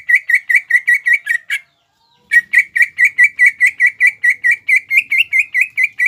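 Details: Cucak ijo, the greater green leafbird, in energetic mbeset song meant to stir rivals to answer: quick bursts of clipped, ringing chirps about twice per second, a short pause, then the same insistent chirping resumes and continues.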